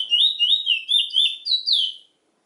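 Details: Chestnut-bellied seed finch, known locally as Trinidad bullfinch, singing a fast run of clear whistled, slurred notes, each rising then falling, about seven phrases in two seconds, with a high note at the end before silence.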